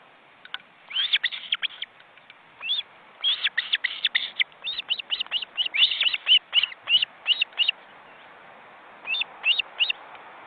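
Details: Ospreys at their nest in an Estonian forest reserve, seen on a live webcam, with well-grown chicks flapping their wings in a crowded nest of four birds. Short, high whistled chirps come in irregular bursts and scattered notes, with brief quiet gaps.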